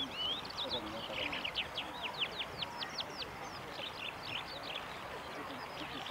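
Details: Eurasian skylark at a riverside park in Japan on 15 October 2016, giving a rapid series of thin, high chirping notes, many steeply falling, over steady low background rumble and noise.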